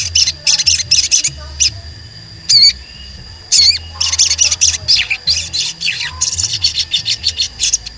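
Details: Sogon bird in lively song, used as a lure to make other sogon sing and get agitated; bursts of sharp chirps with several loud, ringing, wavering whistled notes, over a faint low music-like hum.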